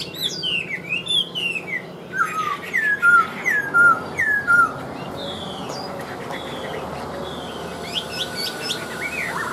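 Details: Caged Chinese hwamei in Vietnam, said to sing like a machine when hung out. Looping whistles, then about five loud, clear, falling whistled notes spaced under a second apart, fading into quieter chirps.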